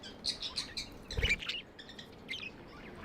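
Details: Pet budgerigars chirping: scattered short, bright chirps and warbles in bursts, with a low thump near the middle and soft background hiss.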